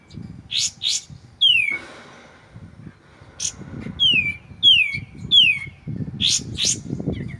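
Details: White-shouldered triller song, recorded clean with pauses to help shamas learn it: paired sharp chips, a downslurred whistle, then a run of three descending whistles and more double chips.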